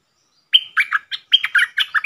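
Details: Red-whiskered bulbul, a bold wild bird answering a caged decoy, recorded 5-6-64: a lively, cheery phrase opening with a clear, level whistle, followed by quick, rolling, warbled notes, repeated twice in two seconds.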